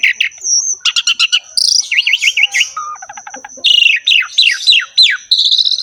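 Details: Javan pied starling in lively 'ngerek' song, used as a tutor for other starlings: quick clicks, a wavering whistled trill, low fluttering notes, then strong downslurred whistles and buzzy phrases over a constant high tone.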